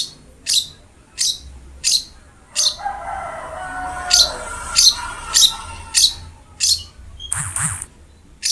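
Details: Long-tailed shrike (cendet) in full voice, a masteran recording for a reluctant cendet. Sharp, high notes repeat roughly every 0.7 seconds, with faint lower sounds in the background and a brief harsh burst near the end.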